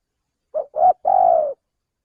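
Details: Three-note phrase from a male spotted dove, used to attract birds to a trap. Two short separated coos lead into a long, smooth, level hooting note. No other sounds.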